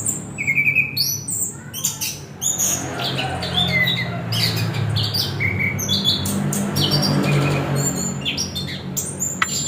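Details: Orange-headed thrush singing sharp high notes and short whistled phrases, busy at first and then sparser, with a rumbling low background noise.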